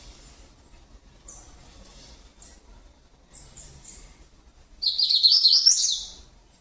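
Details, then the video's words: Coleiro singing in the Grego style: faint high notes at first, then a loud burst of buzzy, warbling high-pitched song lasting about a second and a half before fading out, with a low background hum. "Coleiro Grego Tirano"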